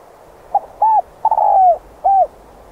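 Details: Spotted dove cooing, used as a lure call to draw in wild doves: a short note, then soft hollow coos with one longer drawn-out coo, all low and mellow, over faint background hiss.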